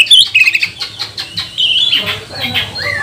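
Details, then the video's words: Magpie-robin singing as a lure to provoke rival magpie-robins to sing: a few short, sharp whistled notes and chatters in separate bursts, with a low hum beneath and softer noisy sounds near the end. "Kacer mana yang gak mau gacor, buka ekor, bongkar emosi dengan pancingan kacer ini"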